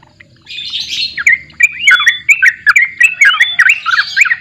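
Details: Sooty-headed bulbul singing in the lively gacor borak barik style: a rapid run of bubbly, slurred whistled notes, rising and falling, starting softly then tumbling into a dense, chattering phrase.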